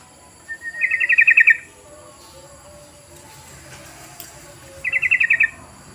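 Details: Sooty-headed bulbul call used as a lure to make other birds respond: two short bubbly trills of about eight rapid notes each, spaced roughly four seconds apart over a quiet background.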